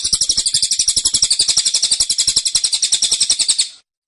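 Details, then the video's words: Tight, shrill tembakan from a caged cililin, fast repeated notes near four per second holding steady before fading out. "Tembakan Cililin Suara Rapat Dan Ngotot"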